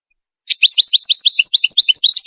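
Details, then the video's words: European goldfinch, Moroccan Wedani type, singing for chick training: a steady run of rapid, rolling upslurred notes repeated many times per second in a bright, clean trill-like series. "مقطع لتغريد الحسون الويداني المغربي لتلقين الفراخ"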